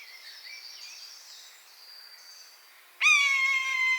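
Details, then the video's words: Quiet stretch of faint twittering from small birds, then a wild buzzard in its natural habitat breaks in with a loud, drawn-out, harsh mewing call. "Buzzard Sound | Hear the Wild Call of a Majestic Bird of Prey"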